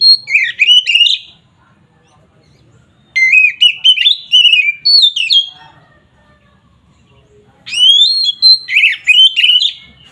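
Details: Oriental magpie-robin singing agitated ngeplong song meant to anger rival birds: three separate bursts of loud whistles and warbles, each a few seconds long, with quiet gaps between them.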